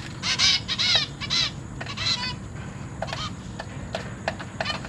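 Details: Caged zebra finches, a pair with three juveniles and three newly hatched chicks, parents busy feeding the young; nasal, harmonic buzzy calls in quick clustered bursts during the first two and a half seconds, then sparser short calls.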